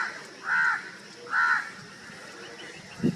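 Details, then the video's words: Two drawn-out, harsh crow caws about a second apart, heard over a background hiss with a faint knock at the end. "crow birds calling and crowing loud"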